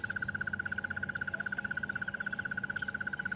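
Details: Crested Barbet calling at sunrise on 3 January 2015 on an African safari drive, from a bush a few metres from a resting leopard. It gives a long, even trill of rapid mid-pitched pulses, about thirteen a second, like an alarm clock, over a low hum.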